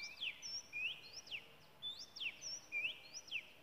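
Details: Wild Oriental magpie-robin in Malaysia singing a loud repeated phrase of clear whistles, sharp downward slurs and short high notes, the motif recurring roughly every second over faint background hiss.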